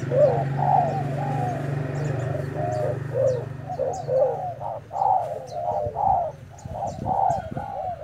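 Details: Fresh untamed decoy spotted dove in a fighting bout, uttering uneven series of low coos over a steady low hum, with scattered high chirps of small birds.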